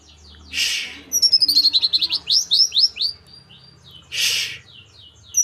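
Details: Blood-breasted flowerpecker, a young bird from Merapi still learning its song: a quick run of high, thin, sharply downslurred chirps, roughly a dozen in two seconds, with loud broad rustling bursts before and after.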